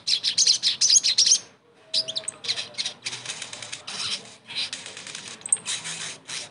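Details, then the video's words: A caged sogon's song played as a lure so a silent bird sings again: dense, rapid, rasping chatter of high notes with one short pause, then fast scratchy runs and a few thin whistles. "TERAPI SOGON MACET langsung GACOR DENGAR PANCINGAN INI"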